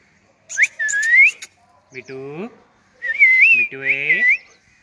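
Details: A rose-ringed parakeet sitting on a stem gives bright, wavering whistles in short bursts, mixed with lower, voice-like phrases that rise in pitch; a talking-parrot sound.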